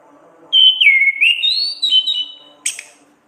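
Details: Orange-headed thrush in loud ngeplong ngriwik song, a recording meant to train caged songbirds: a long clear whistle that dips, rises and wavers through linked phrases, ending in a sharp high chip.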